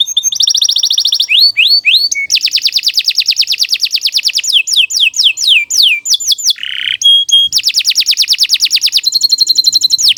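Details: Long, vigorous canary song for tutoring young birds, delivered almost nonstop: buzzy rolling trills, swift falling whistles, a harsh rasping note, pure whistled tones and more rapid trills.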